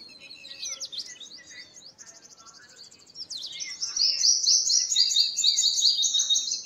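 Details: Song of the purple sunbird: high twittering notes that build into a loud, fast, regular trill of repeated buzzy, high-pitched elements.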